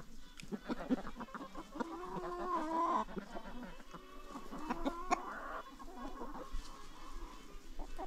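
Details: Free-ranging chickens on a farm, a busy mix of overlapping clucks and short calls repeated over several seconds, with farmyard noise behind.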